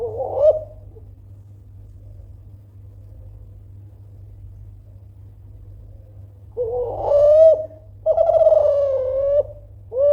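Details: Kelantan-type spotted dove in good form, calling loudly to provoke rivals into answering. A brief coo opens, then silence, then a rough note and a long wavering coo near the end. A steady low hum runs throughout.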